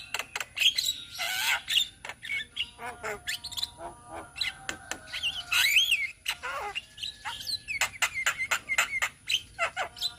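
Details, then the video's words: Ombyokan chorus of Javan mynas in Indonesia, raw training material: busy mix of wavering whistles, grating squawks and crisp clicks, several birds calling over one another without pause. "Masteran Jalak Kebo Bahan - Jalak Kebo Ombyokan - Kicauan Burung Jalak Kebo Indonesia"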